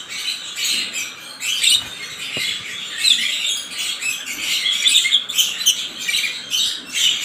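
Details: African lovebirds chattering continuously in shrill, scratchy squeaks and squawks. The sound comes in dense clustered bursts that keep overlapping for several seconds.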